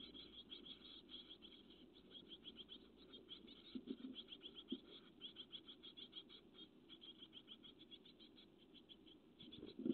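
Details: Great tit chicks, growing bigger each day, recorded by a nest webcam on 12 May 2017: rapid high chittering calls run in dense repeated bursts for the whole stretch, with a few dull low knocks in the background.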